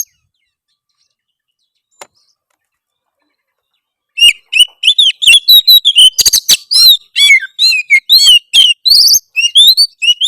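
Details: Harsh song of an Oriental magpie-robin aimed at provoking rivals: after a long silence, a sustained rush of varied whistles, buzzy rasps and clicks, notes coming roughly twice per second.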